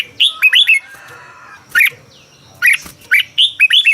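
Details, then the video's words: Red-whiskered bulbul from Thailand, caged, singing to excite other caged birds: lively warbled phrases of three or four notes, single sharp chirps between them, and a soft faint whine in the background. "เสียงนกกรงหัวจุก สำหรับต่อ หรือ เปิดให้นกคึก เสียงเพราะๆ"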